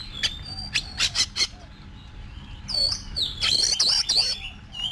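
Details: Cage-kept Oriental magpie-robin in competition song training, with rapid clicks and harsh rasping notes first, then a busy run of high whistled slurs and twitters, over a faint low hum.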